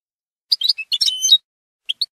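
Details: European goldfinch, Málaga singing style, 2022/2023 recording for teaching young birds: a short, loud jumble of twittering notes ending in a thin whistled glide, then two sharp chips.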